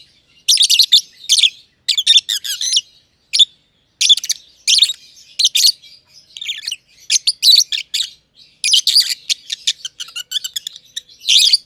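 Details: Green personata and green pied personata lovebirds, close companions in a simple aviary, keep up long chirping: dense runs of harsh, piercing chirps in repeated bursts with short gaps, fairly steady and lively.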